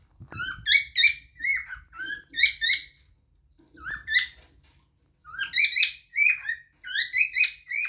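A cockatiel sings a run of bright, warbling whistles, short notes rising and falling in quick phrases, pausing briefly before a second burst of chirpy whistling.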